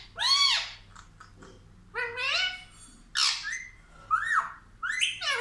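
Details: Indian ringneck parakeet, a talking pet bird said to say mummy and papa, producing five bursts of harsh, strongly harmonic squawking syllables with rising and falling glides, each about half a second long, separated by short pauses; faint low hum underneath.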